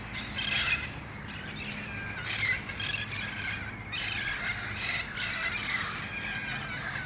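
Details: At dusk in El Cajon, wild red-crowned parrots gather before flying to nearby roost trees; raucous screeching calls rise and fall in overlapping bursts from many birds through the August evening.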